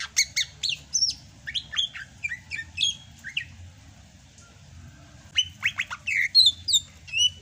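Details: Sumatran greater green leafbird singing vigorously in the rainy season: a quick run of sharp chirps and slurred whistles, a short pause, then another burst of bright, varied notes. Faint low hum underneath.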